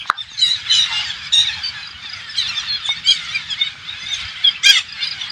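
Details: Hundreds of parakeets, which the owners believe are Alexandrine parakeets, invade an organic farm in the rural Thailand countryside, filling the air with dense, overlapping shrill screeches and squawks, a constant high chatter over a faint low rumble.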